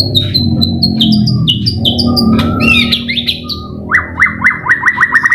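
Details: White-rumped shama (murai batu) song used as a training recording to spur other birds into singing: clear whistled notes stepping downward, then a quick run of rising upslurred notes, over a steady low hum.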